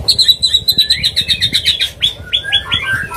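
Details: White-rumped shama mating call for bringing a bird into breeding condition, opening with a steady rapid string of ringing whistled notes, about four a second, then several quick downslurred whistles.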